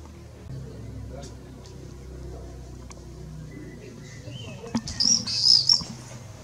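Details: Common swifts under a roof gutter on 31 May 2020 give a brief burst of shrill, buzzy, rasping screams near the end, over a steady low rumble of background noise.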